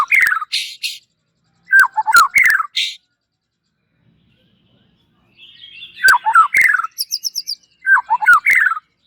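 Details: Caged white-rumped shama, a prized contest bird, singing in short loud bursts of slurred rich whistles and sharp clicks, about two seconds each, separated by pauses, with a high thin twitter in between.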